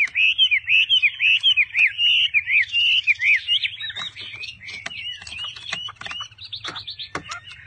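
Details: Caged Chinese hwamei pouring out a loud series of quick looping whistles in steady rhythm, then shifting to scratchier, more varied notes and a buzzy trill near the end; faint hum.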